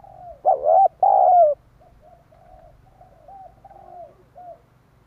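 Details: Spotted dove call used to lure wild doves: two loud, hoarse, rolling coos in quick succession, the second long and falling, followed by a string of softer, short coos.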